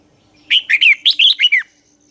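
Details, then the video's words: Red-whiskered bulbul dueling song, used as a lure to train and stir other bulbuls to sing: one loud burst of about seven quick whistled notes, each sweeping down, lasting about a second. "chào mào hót đấu"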